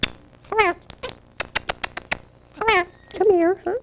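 A parrot's speech-like voice: a few drawn-out, word-shaped syllables, a quick run of short clicking notes, then more rising and falling phrases in a small room.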